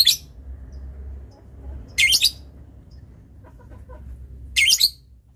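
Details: Lovebird used as a master tutor bird for long chatter, giving three harsh, high rasping bursts spaced roughly two and a half seconds apart. Low background hum is audible between them.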